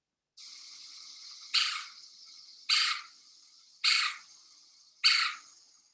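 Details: Yucatan Woodpecker, endemic to Mexico's Yucatan Peninsula, recorded there in winter, giving four harsh, rasping call notes a little over a second apart, over a steady high insect-like drone.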